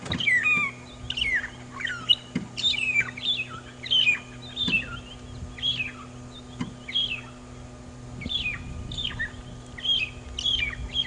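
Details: Magpie Shrikes (long-tailed shrikes) seen on an afternoon safari drive at Djuma Game Reserve, South Africa, on 6 September 2015 give a lively run of short, clear whistles and chirps, several each second, over a steady low engine hum.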